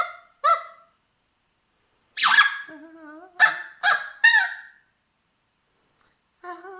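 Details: Mealy Amazon parrot kept as a pet, singing with scattered short honking notes and a lower steady tone, separated by silent gaps.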